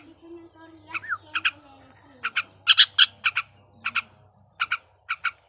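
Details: Sooty-headed bulbul singing in breeding condition, a recording meant to goad quiet bulbuls to sing: paired and tripled short chirps in spaced bursts over a steady low hum.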